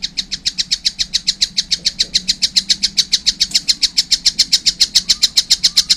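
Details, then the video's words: Continuous, steady rattle of shrill, rasping notes, roughly seven per second, from a young collared kingfisher throughout, with only a faint background hum. "wow masih kecil udah gacor , anakan burung tengkek buto"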